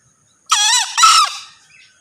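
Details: Male green junglefowl crow heard up close: a strained, nasal first note sliding downward, then a brief gap and a brighter, harsher second note fading out.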